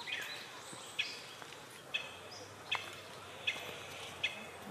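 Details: Japanese pygmy woodpeckers at fledging time in mixed woodland on 8 May 2020, from about 8 am, parents urging chicks to leave the nest: short sharp notes repeated about every 0.8 seconds, six in all, over quiet background noise.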